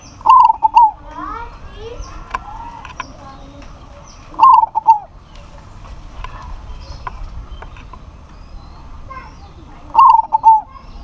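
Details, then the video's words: Local zebra dove calling out to a rival, which answers: three bursts of clear fluted cooing phrases about every five seconds, each a quick run of warbled notes, with faint other bird chirps between. "PERKUTUT LOKAL GACOR MEMANGGIL LAWAN PASTI NYAUT"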